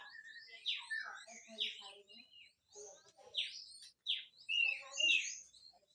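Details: Harsh full song of a grey-cheeked bulbul, recorded as training audio for songbirds. Somewhat distant loud, scratchy, downsweeping notes come in uneven bursts, with rougher chatter between them.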